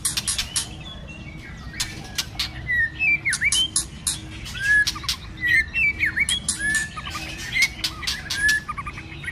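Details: White-rumped shama in intense fighting song during the cold season, tail flicking: rapid clicking bursts at the start, then dipping whistled notes and chattering phrases repeated through the passage.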